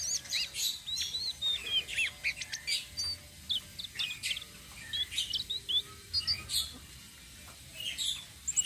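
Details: Flowerpecker song used as bait for other birds: high thin chips and short squeaky slurred notes in irregular bursts, with a low hum behind.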